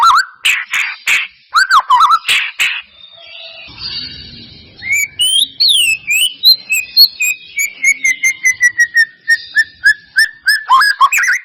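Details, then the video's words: White-rumped shama song for stirring another shama to sing: harsh raspy bursts and looping whistles, a brief quiet gap, then rising whistles and fast regular ticking notes over a gently falling tone. "Pancingan murai batu mancet bunyi ‼️ pancingan murai batu males bunyi‼️respon cepat"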